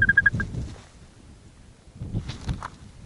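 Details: Black-bellied plover nest in the Arctic breeding grounds, a male settling over a chick that has just hatched and squeaks plaintively; a quick run of four or five thin, level peeps opens, then soft rustling and faint movement.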